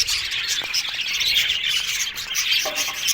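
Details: Australian budgerigar aviary colony, many birds calling: sharp high chirps and clear whistled pips over continuous rasping chatter, with a few louder squawks near the end.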